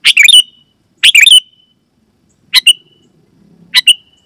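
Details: Sooty-headed bulbul calling loudly to lure wild bulbuls and prompt others to answer: four short bubbly, slurred phrases ending in a brief whistled tail, spaced one to one and a half seconds apart.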